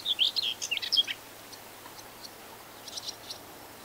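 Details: Common whitethroat (Curruca communis) singing fairly out in the open in the UK in spring: one brisk, scratchy, high-pitched warble lasting about a second, followed by faint, scattered chips.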